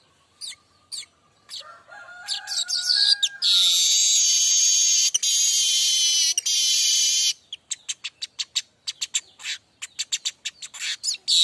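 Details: Streaked weaver (manyar kembang) tutor song: opening chips and faint lower whistles, then a sustained, grating, buzzy hiss lasting several seconds, ending in a fast series of sharp ticking and chattering notes.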